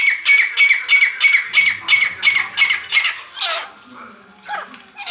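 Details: Native grey francolin calling in a lively mood. Loud, ringing, high notes are repeated about three times a second in a steady series, then break into a few harsher, uneven notes, with faint low rumbling beneath.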